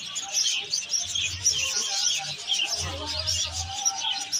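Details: A busy mix of parrot voices, with shrill overlapping chirps and squeaks crowding together without pause, and a few dull low knocks underneath.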